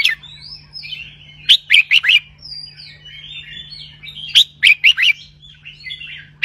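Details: Red-whiskered bulbul singing the doubled 'bern roi' style. Two phrases, each of four to five emphatic, bouncy whistles, are separated by rambling soft warbles. A low steady hum sits beneath.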